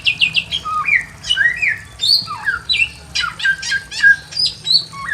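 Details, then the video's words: Pekin robin in a simple aviary singing a lively string of clear whistled phrases, rising and falling slurs and brief rapid note runs, delivered in steady pulses above a low background hum. "KICAUAN BURUNG SAMYONG GACOR SUARA ASLI ALAM LIAR DI KANDANG AVIARY SEDERHANA"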